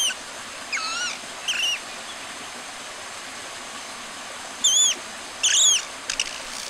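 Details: Long-tailed broadbill giving arched, downslurred whistled notes rich in overtones, in irregular pairs and short bursts separated by pauses. A few quick clipped notes follow at the end, all over a constant background hiss.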